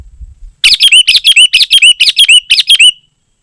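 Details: Sooty-headed bulbul in dense gacor song, used for luring wild birds and as a tutor for caged bulbuls. A fast, steady run of about a dozen bright, bubbly whistled phrases over two and a half seconds.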